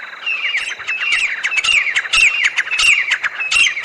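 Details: Jungle teetar, the grey francolin, calling: a dense run of harsh, rising squawks repeated quickly over a noisy background, the notes overlapping closely.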